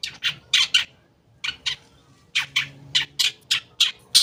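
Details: Long-tailed shrike song meant to prompt non-singing shrikes: grating, broadband squawks in pairs and short runs, a brief silence, then a string of evenly spaced harsh calls ending in a loud screech.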